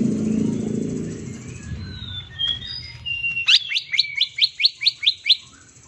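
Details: Green leafbird, a bird prepared for contest hanging, in the 'tembakan' shooting style used as bait: low rumbling noise and faint whistles, then a rapid string of about eight sharp rising notes.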